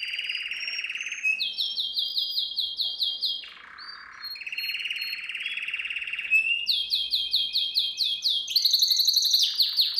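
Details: Canary training song for young canaries: long rapid rolled tours, first a low trill, then repeated high chirping notes, a brief dip to a lower buzzy section, more rolls, and a fast bright repeated phrase at the end.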